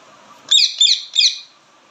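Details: Three harsh, high chirps from an Indian ringneck parakeet, evenly spaced over about one second, each a shrill bent squawk, in a quiet setting.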